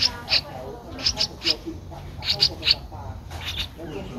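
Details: A Streak-eared Bulbul young, aged 12 days with eyes open since day seven, recorded 14 April 2023 in Ubon Ratchathani, Thailand. It utters scattered high, squeaky notes, singly and in pairs, separated by short pauses.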